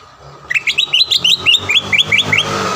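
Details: Green leafbird song played as a lure to make a rival sing at once: a rapid series of about twelve bright upslurred whistled notes, evenly spaced.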